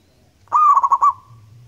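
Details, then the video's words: Local zebra dove singing actively with a loud, long voice. A clear, low cooing note runs into three quick rolled pulses, then a soft tone trails away, all within about a second. "perkutut gacor lokal alam suara nyaring panjang"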